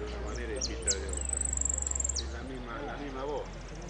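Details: Saffron finch sings during the Piran competition, 25/09/16, category 'amarillo sin cierre': short high slurred notes lead into an extended fast, very high-pitched trill, ending with a drop, while people talk nearby.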